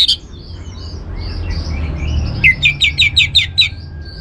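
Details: Orange-headed thrush, a teaser song to get birds singing. Faint high twitters lead into a quick run of about eight crisp, repeated slurred whistles, clearly rhythmic, over a low background rumble.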